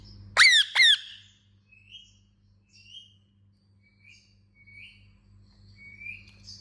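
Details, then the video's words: Indian ringneck parakeet giving two loud, harsh, downward-sweeping squawks in quick succession, then a series of soft short chirps about once a second, against a faint low hum. "Indian Ringneck Chirping Sound"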